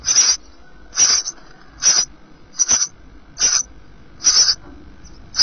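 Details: Sparrow chicks eight days old in a nest watched by a live webcam in 2012, three of five hatchlings surviving, down just beginning to show; short high hissing bursts repeat about every 0.8 seconds, steady and evenly spaced.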